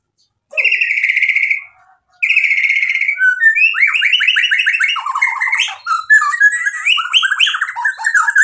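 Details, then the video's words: Vigorous white-rumped shama song loaded with mimicry to provoke answering birds: two long steady buzzy trills, then a tumbling stream of fast warbled and slurred notes continuing without a break. "MURAI BATU GACOR bikin EMOSI jadi NYAUT BUNYI BONGKAR MATERI ISIAN | murai full isian"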